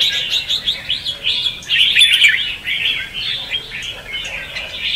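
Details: Red-whiskered bulbul (chào mào) singing in the competitive ché and xòe style, used as lure song for trapping and training birds; dense bright chirpy warbled phrases tumbling almost without pause, swelling louder near the middle.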